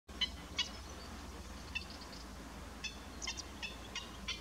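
Little Stint giving short, high, clipped 'stit' notes, singly or in quick pairs, at irregular intervals over a steady low rumble of wind or distant noise.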